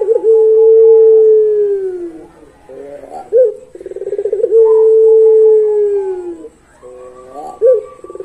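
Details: Long pelung-style song of a puter, or Barbary dove: two drawn-out, smooth, low hoots, each sliding gently downward, introduced by a quick burbling roll of pulsed notes.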